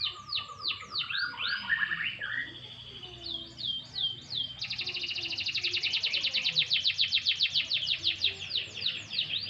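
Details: Canary during a light sunbath, singing varied phrases: looping slurred notes, a lower warble, then a long fast trill of rapid high pulses, loud and clear with only faint background hum.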